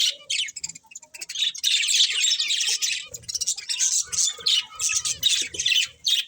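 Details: Chirping budgies: quick bursts of scratchy warbling chatter, several a second, with a faint lower squawk now and then.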